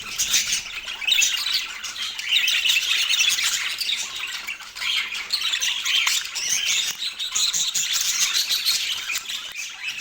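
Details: Parakeet at home during morning feeding on an autumn day in natural light, chattering steadily with harsh squawks, thin squeaks and warbled phrases filling the whole stretch.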